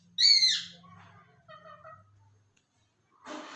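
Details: Pakistani parrot talking, reportedly saying 'Allah Hoo': a loud harsh high opening note, then softer voice-like syllables with stacked tones, a short pause, and a brief rasping burst at the end.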